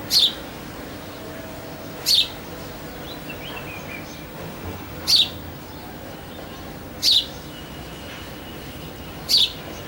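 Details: House sparrow calling in the early morning: short, sharp, high chirps given singly about every two to three seconds, five in all, over a faint steady background hiss.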